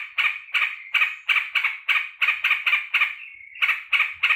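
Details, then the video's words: Pet sooty-headed bulbul greeting its returning keeper after work, very glad: rough, buzzy chatter notes in quick succession, broken once by a drawn-out smoother note before the rapid bursts return. "BURUNG TRUCUKAN KALAU MENYAMBUT TUANNYA PULANG KERJA"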